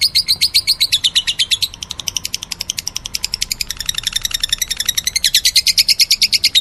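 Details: Lovebird singing meloloh, a dense, fast trill of scratchy high chirps whose pitch wavers up and down, with a brief slower, softer stretch midway.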